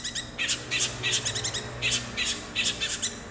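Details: Long-tailed shrike imitating the fighting calls of sparrows: rapid clusters of sharp, bright chirps repeated roughly every half second, with a low steady hum underneath.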